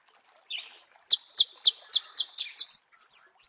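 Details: Marico sunbird singing in natural habitat: a thin opening note, then a steady series of sharp, high, ticking notes that speeds up and ends in a squeaky, slurred twitter.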